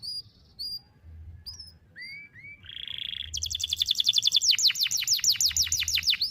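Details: Canary training song for juvenile birds, delivered long and in one breath: soft scattered high whistles, a couple of rising slurs and a buzzy held note, then a loud accelerating trill of sharp downslurred notes.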